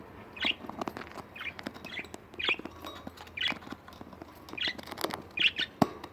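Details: Pet budgerigars kept at home giving short bright chirps, one roughly every second, each a quick sharp note, with faint rustling and tapping between calls.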